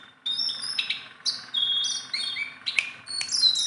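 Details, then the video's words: Tame Sunda bulbul kept as a pet songbird: bright high whistled notes and sliding phrases in short bursts, with quick chirps separated by brief pauses. "BURUNG JONGKANGAN GACOR TELER JINAK PETETAN"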